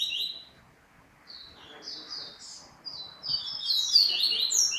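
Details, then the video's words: Double-collared seedeater singing a series of short slurred, rising and falling whistled notes that grow louder and more crowded toward the end, over a background hiss. "COLEIRO DBRUN"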